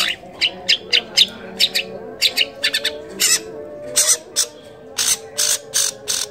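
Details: Cendet, the long-tailed shrike, singing a mimicry-rich song for training other songbirds, imitating kolibri, trucukan, lakbet and canary: bursts of harsh, scratchy high notes, then broad buzzy rasps toward the end, with a faint constant hum.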